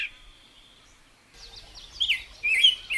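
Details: A thin steady whistle, then a burst of quick high bird chirps and short bright squeaky calls, with a low rumble underneath.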